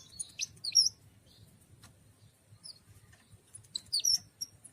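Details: Sparse, sharp high chirps and short twitters from a cikrak daun, or tralis, leaf warbler, clustered at the start and end, with quiet gaps between.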